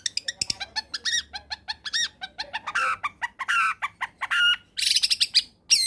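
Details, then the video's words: Long-tailed shrike pouring out a fast combination song meant to set other shrikes singing: rapid repeated arched notes, harsh buzzy bursts and a rasping run at the close. "Suara Asli Cendet Gacor Kombinasi.. Solusi Pancingan tepat buat cendet malas bunyi agar ikut bunyi"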